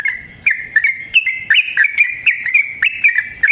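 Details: Yellow-vented bulbul (trucukan) in a lively, long-running 'ropel panjang' wild-style song used as a lure for other birds: bubbly, liquid two-toned chirps repeated about every quarter second, with slight rises and falls throughout.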